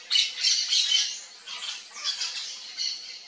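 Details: Rapid, grating squawks from a yellow-faced parrot, a central Brazilian species, delivered in a quick, irregular stream of rough notes.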